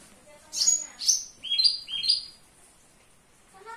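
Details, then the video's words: A Javan bush lark kept indoors sings energetically: two high piercing chirps followed by two quick downslurred whistles, then quiet. "Branjangan dalam ruangan super gacor"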